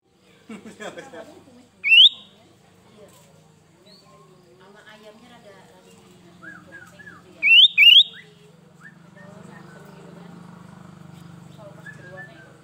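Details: Sooty-headed bulbul sound used for luring birds: two short bursts of bright, sharply rising whistled notes, one near the start and a quick double burst later, over quiet low murmuring and faint human voice sounds.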